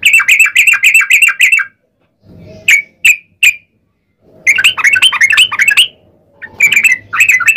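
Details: Rolling song of the yellow-vented bulbul, played as a lure so other bulbuls reply. Fast bright chattering runs alternate with a few isolated sharp chirps and short silent gaps.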